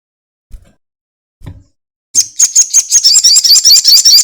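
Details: Crested jay in a lure recording meant to set other birds singing: two soft low knocks, then a loud, fast, regular rattle of high dry pulses running about two seconds.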